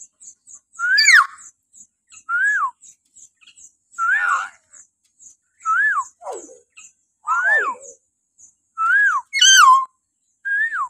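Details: Morning calling of a common hill myna, used to train captive birds: repeated arched whistles that drop at the end, with harsh nasal notes, a sharp high shriek, and faint ticking behind.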